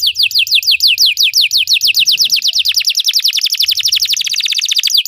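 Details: Belgian canary song for training other canaries to sing, a steady series of high descending slurred notes gradually accelerating into a faster, tighter trill near the end.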